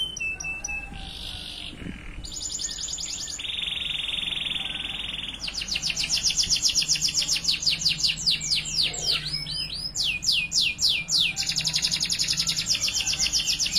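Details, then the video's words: A male Spanish Timbrado canary sings a continuous high, metallic song of rolling trills and held tones, then fast runs of clipped notes near four per second, used as a training song for young canaries. "Canary Training Song"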